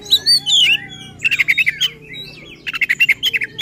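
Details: Oriental magpie-robin singing in an agitated, emotional style used to provoke rivals: sweet descending whistles at first, then rapid rattling trains of sharp chipping notes repeated several times a second, closing with another burst.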